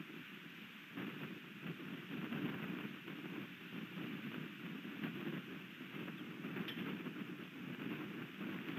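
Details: Steady wind buffeting a microphone with a low, continuous roar and no animal calls.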